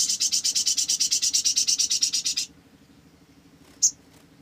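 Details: Olive-backed sunbird, used as a lure to prompt singing, giving a fast high buzzy trill of about twenty-five rapid pulses over two and a half seconds, then quiet with one short sharp high chip.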